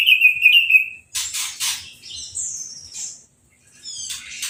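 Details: Captive orange-headed thrush, just after moult, singing while being sprayed with a hose and with no cage cover: a bright whistled phrase, then hissing bursts of spray, then more high thin notes.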